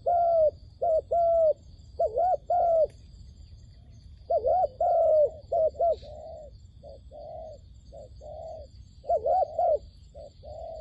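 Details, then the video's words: Dove calls used to attract wild doves into a trap, bursts of repeated short coos, sometimes paired, with gaps between, and softer coos later, over a faint high steady hum. "ឱ្យតែជួបលលកព្រៃ ធ្នាក់ហៅបរសឹងដាច់ខ្យល់"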